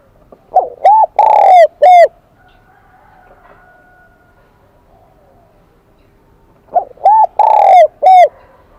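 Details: Spotted dove, wild-caught, with the high Kim Đồng voice, repeats its three-part cooing phrase twice, about six seconds apart, with a long quiet gap between.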